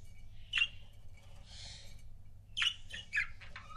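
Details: Budgerigar pair kept as pets, chirping: a sharp squeak, a soft rasp, then a cluster of quick chirps and a short warbled note, with a low background hum.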